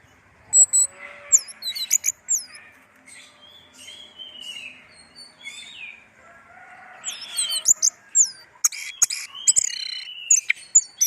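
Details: Kept orange-headed thrush singing: scattered high, curving whistles and chirps at first, then a denser, faster stretch of sharp notes, slurs and clicks toward the end.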